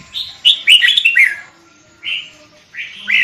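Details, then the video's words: Sooty-headed bulbul lure song: a fast tumbling phrase of bubbly descending whistles, followed after a pause by two single clear notes, the last sliding upward. "Burung kutilang pikat gacor isian fulll"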